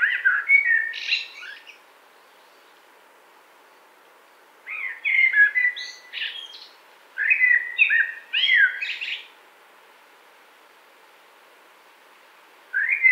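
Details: Four blackbird song phrases over about thirteen seconds, each a melodious low whistle run ending in thin, high squeaks, with quiet gaps between them.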